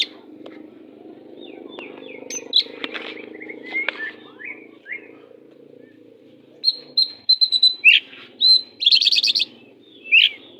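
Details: Oriental magpie-robin described as fierce, sung for coaching shy birds: scattered chips and slurred whistles over a low rumble, then a clear run of repeated whistles, a buzzy burst and a final rising note.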